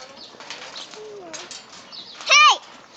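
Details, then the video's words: A screaming, agitated white cockatoo in Hilo, Hawaii, gives quieter squawks, then one loud harsh descending screech lasting about a quarter second, with faint human voices. "White Cockatoo Going Off"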